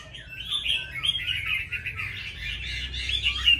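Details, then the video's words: A captive Oriental magpie-robin sings in competition with a red-whiskered bulbul, laughingthrush and spotted dove: dense, continuous warbling of sweet whistles and rapid trills, mid-to-high pitched, with other songbirds likely singing alongside. "Chòe hót đấu cùng chào mào, khướu , cu gáy"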